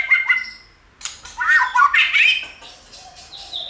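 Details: A White-rumped shama, tail-flicking while stimulating other shamas: a harsh, squawky, jumbled outburst with a brief rough whistle at the start and a soft thin note at the end.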